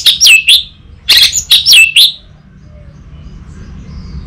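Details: Master song of an orange-headed thrush recorded in North Bali, meant for a young bird in training. Five or six loud, sweet phrases of falling and rising whistles with a buzzy edge are delivered in two seconds, then quiet.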